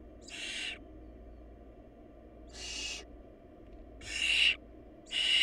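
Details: Barn owl chicks in a nest with too little food, after the smallest nestling died. Raspy hissing bursts repeat about once a second, growing louder toward the end, with a steady low drone beneath.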